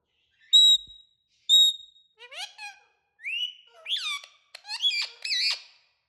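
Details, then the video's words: Talking parrots making natural sounds: two loud, pure, steady whistles, then a run of varied bending chirps and warbling squeaky notes that rise and fall quickly, with short pauses between them. "Talking parrots making natural sounds"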